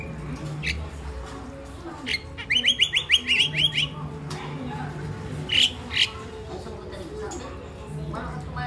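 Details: Pet crested myna, a mimic bird kept at home in the Philippines, chirping: a quick burst of about eight sharp, harsh, high notes, then a pause and two more separate squawky chirps, over a low steady background hum.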